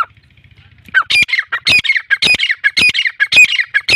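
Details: A free-roaming Irani teetar, or black francolin, starts after a second of faint low hum and launches into a rapid series of rasping, squawky, broadband notes, grouped in harsh repeated phrases.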